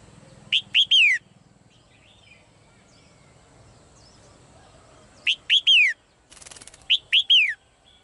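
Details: A female bird in a cage repeats a three-note phrase three times over eight seconds. Each phrase has two short chirps and a long, falling whistle. A brief rattling noise comes between the later phrases.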